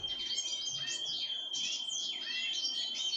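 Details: Pine grosbeak at a feeding of sunflower seeds, uttering short sweeping chirps, some sliding downward, closely packed over a steady high whine.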